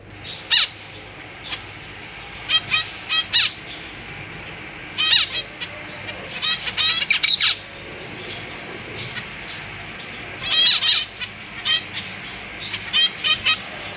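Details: A caged family of zebra finches, parents feeding recently hatched young that are practising flight, makes many short nasal, harmonic calls in irregular clusters, sometimes rapid runs of several notes, across steady low hum.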